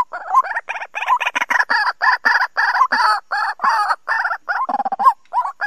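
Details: White-breasted waterhen calls played as a lure for trapping birds, 2020 season: harsh, nasal notes repeated rapidly in a steady, dense series with almost no pauses.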